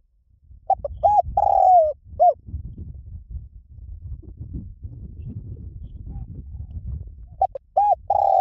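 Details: Spotted dove coo phrase in the lio tan style, used as a lure for training doves to answer: clipped low coos build into a long sustained coo, then a low rustling background before the phrase starts again near the end.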